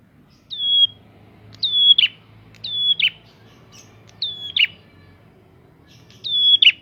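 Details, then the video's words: A prinia in full song, played to provoke untrained prinias, gives high level whistles ending in quick buzzy downslurs, repeated at uneven intervals against a faint low hum. "Prenjak gacor!!! Pancingan untuk burung prenjak bahan"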